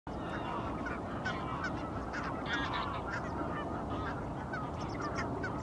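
A flock of brant keeps up a steady chorus of low, rolling, throaty honks. The calls overlap continuously with no pauses.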